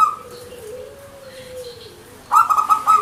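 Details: Zebra dove (perkutut), local Indonesian bird, manggung song: a soft, long, low drawn note, then a loud rolling trill of quick pulsed notes at the end.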